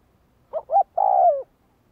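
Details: A decoy spotted dove in training gives one call: two quick, soft coo notes, then a sustained lower coo that drops away at its close. Nothing else is heard.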